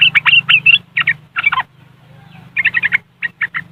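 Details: Yellow-vented bulbul giving riwikan chatter, recorded by Android phone in West Java, Indonesia, as lure sound for caged birds: bursts of sharp, rapid chirping notes split by short pauses, with a steady low hum early on.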